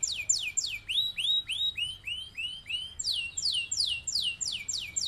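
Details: Canary in long rolling song, used to teach other birds: clear high downward sweeps repeated quickly, a lower run of rising arched notes, then another fast series of sharp descending notes.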